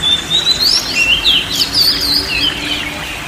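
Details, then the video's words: Oriental magpie-robin song offered as relaxation for a stressed or silent bird: a rising whistle opens, then a string of sweet slurred notes and quick flourishes with steady background hiss. "TERAPI BURUNG KACER SETRES DAN MALES BUNYI"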